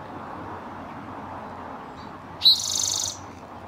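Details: Male Spotted Towhee singing in spring, March 2024, northern California, probably seeking a mate or claiming territory: a faint high note, a sharp opening chip, then a dry, buzzy trill of about half a second, over a low rumble.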